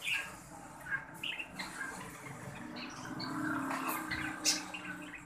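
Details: Green breeding pair of budgerigars: intermittent scratchy squawks and chirps, with busier chattering midway and a sharp note toward the end, over background hum.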